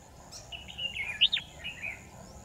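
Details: Red-whiskered bulbul used as a decoy for trapping, large-bodied with a long, high crest, recorded 10 December 2018: a short run of bright, slurred whistled notes rising and falling, with one sharp upward-swooping note in the middle and a faint steady high hum.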